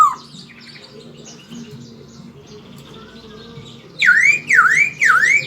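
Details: Chinese hwamei singing persistently, with song filled with murai phrases: quiet jumbled warbling background, then three loud, repeated V-shaped whistled notes that dip and rise near the end.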